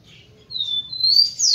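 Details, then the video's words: Rufous-collared sparrow song aimed at stimulating females: a soft opening note, then long, thin, high whistles, level at first, ending in a bright, steeply falling slur. "ESQUENTE seu TICO-TICO no Máximo e ESTIMULE suas FÊMEAS a aprontar!"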